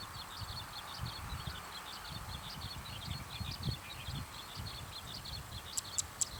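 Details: Zitting cisticola in a field at evening, giving a steady run of short high chirping notes, low rumble underneath and a few sharp clicks near the end.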